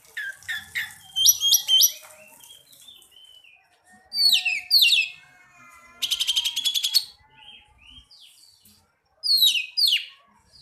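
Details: Oriental magpie-robin (kacer) singing vigorously in response to another bird: loud bursts of varied high whistles, rapid trills and buzzy rattling phrases, separated by quieter gaps with softer chatter.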